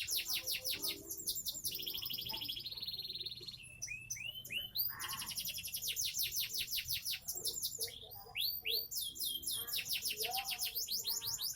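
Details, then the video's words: A seven-month-old Sonji SF canary, caged in Indonesia, sings a continuous, varied song of quick descending trills, rattling buzzes and upswept whistles. "Koleksi burung kenari SONJI SF kenari umur 7bln"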